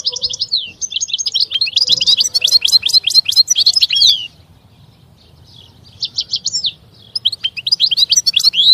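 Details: European goldfinch song: fast twittering phrases with buzzy trilled notes, a pause of about two seconds, then renewed bright chirping.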